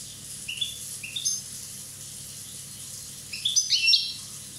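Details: One-year-old Corsican European goldfinch singing: two short high rising notes, a pause, then a quick liquid burst of tinkling, twittering notes high in pitch, with faint steady background hiss.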